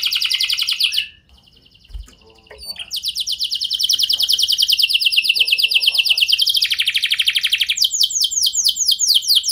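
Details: Lure song of a canary intended to make other canaries reply: an opening trill, a near-silent gap with faint background sounds, then a long steady rolling trill shifting into a lower trill and ending with fast sweeping notes.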